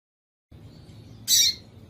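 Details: Female double-collared seedeater calling to stir a male into singing: a single short, high, harsh chip lasting about a quarter second, against a quiet background.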